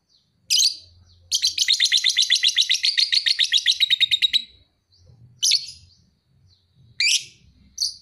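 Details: Young lovebird, two and a half months old, described as a fighter singer. It gives a sharp high chirp, then a long, fast, rattling trill of buzzy notes lasting about three seconds, followed by scattered shrill chirps with quiet pauses.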